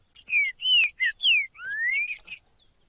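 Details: Trinca-ferro, or green-winged saltator, singing to stimulate captive birds: a short run of loud, clear whistled notes sliding down in pitch, then one long rising whistle ending in quick high chirps, with a faint steady whine behind.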